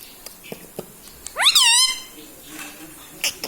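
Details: Talking pet parrot in a small indoor room, said to say mummy, papa and radhe radhe; one half-second harmonic, rising-then-falling vocal burst amid soft background taps.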